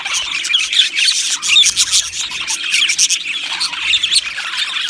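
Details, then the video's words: Many Australian budgies in an aviary chirping and squawking at once, bright rapid twittering with louder sharp squawks rising above the chatter. "Beautiful Budgies Singing and Chirping Sounds"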